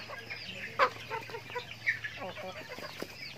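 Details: Backyard chickens eating feed give irregular short clucks and low chattering notes, with one louder squawk early on and a faint steady hum in the background.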